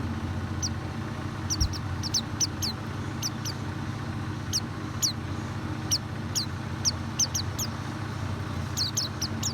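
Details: White-eye calls used as a lure to make a reluctant bird sing: thin, high, downslurred chirps, single or paired, spaced irregularly over a strong steady low rumble like traffic or an engine.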